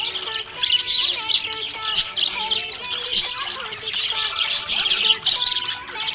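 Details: Budgerigar chirping happily, a stream of bright, buzzy tweets and warbles in uneven bursts, with melodic music running underneath.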